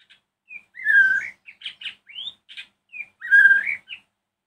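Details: Loud evening song of a white-rumped shama, sung to stir other shamas into answering: clear whistled phrases, two long rich warbled notes with quick rising and falling whistles and short buzzy notes between them.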